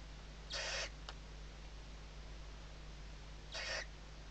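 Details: Western barn owl at a nest webcam in Riet Vell Nature Reserve, Ebro Delta, Tarragona, Spain, 2023 season, chicks under the mother's wings: two harsh breathy hisses about three seconds apart, a faint click between, over a steady low hum.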